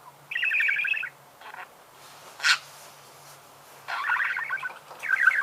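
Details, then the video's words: Budgerigar singing in separate bursts of buzzy, rippling warble lasting about a second each, with a single sharp click between them, against a quiet background. "Пение волнистого попугая"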